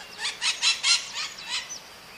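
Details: Maritaca parrot, described as a small bird with a strong voice and a remarkable song, giving a burst of six harsh, rasping squawks in quick succession, each a broad noisy note, fading at the end.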